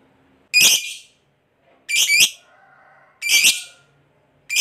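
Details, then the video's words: Lovebird giving loud harsh shrieks, each a strident burst repeated about every one and a half seconds, with faint low notes between. "SUARA BURUNG LOVEBIRD NGEKEK PANJANG, GACOR FIGHTER PANCING EMOSI, LABET LAIN LANGSUNG PANAS"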